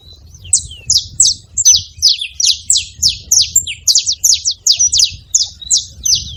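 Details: Saffron finch: loud, piercing chirps falling in pitch, delivered almost three per second in a continuous stream over a quiet low hum.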